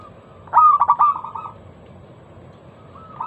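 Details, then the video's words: Loud, crystal-clear lure song of a local zebra dove used to set other doves singing: one phrase of rapid clipped coos trailing into a steady, fading tone, followed by quiet. "Masteran pancingan burung perkutut lokal suara Lantang kristal"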